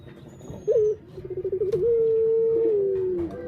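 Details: Puter, or Barbary dove, giving one coo: a crisp introductory note, a series of quick bubbling pulses, then a sustained mellow hum that slowly drops in pitch before stopping.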